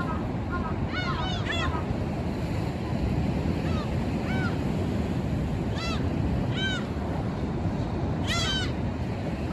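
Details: Noisy flock of black-tailed gulls feeding together at a seaside tide pool among rocks, recorded by phone; frequent harsh, slurred mewing cries, often two or three in quick succession, overlapping at times, above constant low surf rumble.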